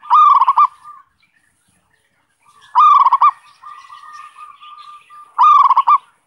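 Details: Zebra dove song played as a lure for wild birds: three loud bursts of rapid stuttering coos roughly every two and a half seconds, soft drawn coos between.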